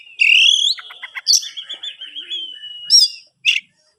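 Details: Captive-bred oriental magpie-robin singing: a loud rising whistle, then a fast trill, a long wavering warbled phrase and short bright chirps, with brief pauses between bursts.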